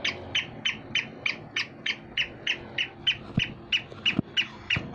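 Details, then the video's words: Black francolin, male and female, calling in a steady run of short harsh notes about three per second, each with a bright band near two to three kilohertz; a few low thumps in the background. "Kala teetar kali teetari ke voice"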